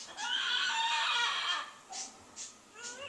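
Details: Large pet bird kept on a back porch, crying on and on with annoying noises for over ten minutes: a harsh, harmonic screech lasting over a second, followed by three shorter, fainter cries at roughly half-second intervals.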